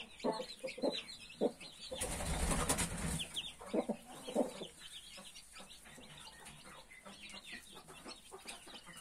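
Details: Mother hen and her 31 newly hatched chicks: low clucks, a burst of broad rustling noise around the second second, then softer clucks and steady high cheeping from the chicks.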